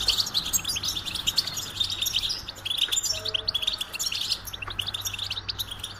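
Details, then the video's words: Goldfinch song as a fast, unbroken chatter of high tinkling and twittering notes over six seconds, a brief faint whistle-like tone midway, low steady hum beneath. "Golden Melodies in Motivation Experience the Goldfinch Singing"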